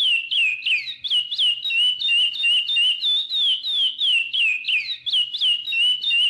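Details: A chestnut-bellied seed finch (curió) sings its 'praia' song type: a fast, unbroken run of clear, fluty whistles, sliding up and down in quick phrases of about three notes a second.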